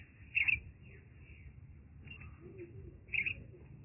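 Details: Baby common myna rescued from a broken arecanut tree gives two short, sharp, high chirps about three seconds apart, with quiet background hum between them.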